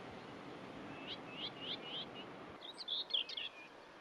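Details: Common whitethroat singing among gorse on the coast at Botallack, where the birds arrive to breed: a run of quick, high scratchy notes, a brief pause, then a louder, busier chattering phrase, over a soft outdoor hiss.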